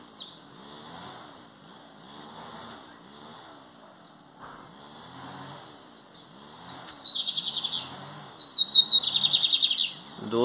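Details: A Lined Seedeater (Sporophila lineola) sings loudly, with rapid buzzy trills of high notes in bursts near the end, over a steady rumbling engine-like drone; a song used for training.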